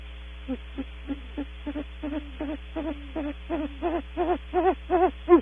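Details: Great horned owl at Audubon Starr Ranch, female then male, calling on leaving the nest cavity: a rapid stuttering series of short hoots, about 160 a minute, growing steadily louder over five seconds, with low hum throughout.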